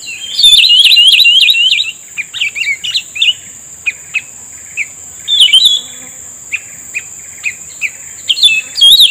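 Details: Cucak rumbai tungging responding to a trapper's lure, a rapid run of high wavering whistled notes at the start, then scattered short sharp chirps spaced irregularly, ending with more warbled whistles over a constant high whine.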